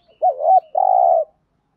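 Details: Spotted dove decoy bird giving an urging coo to provoke wild birds: a low double-humped hoot followed by one long, steady, slightly buzzy coo, clear and close with no other sounds.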